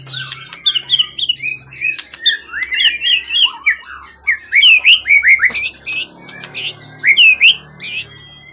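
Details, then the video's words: Caged contest songbird, originally wild from the forest, tail at least 20 cm, in top form: chains of rising and falling whistled notes, loud clear phrases repeated in bursts, with a low hum in the background. "Burung event ori hutan ekor 20cm up lg on banget prestasi burung hutan gk giras ya rawatan lama."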